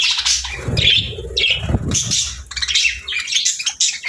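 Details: Happy budgerigar chatter: quick bursts of high, harsh chirps and squeaky warbling notes trading back and forth, with soft low thumps and background noise beneath.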